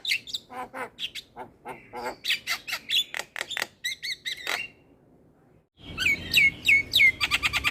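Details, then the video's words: Black-winged myna tutor song meant to prompt silent mynas into singing: fast chattering clicks and squawky notes, brief whistles near the middle, a pause, then loud repeated ringing whistled slurs and dense chatter. "Kicauan Burung Jalak Kebo Full Isian pas Untuk Masteran dan Pancingan Jalak Malas Bunyi"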